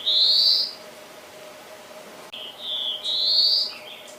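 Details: Black-throated blue warbler singing: a drawled, buzzy note rising slightly in pitch, then after a pause a lower buzz followed by another long, rising buzzy note, over a faint steady background hum.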